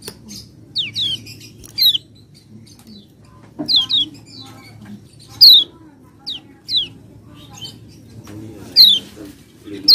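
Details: Common iora song used as a lure to set a quiet, lazy bird singing: sharp, downward-slurred whistles scattered irregularly through the stretch, some doubled, over a steady low hum.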